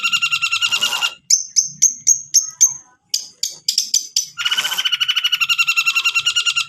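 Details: Varied long-tailed shrike song, used as a lure to make a reluctant bird sing. Harsh, rattling trills with strong lower tones frame a middle run of quick, high, descending chirps.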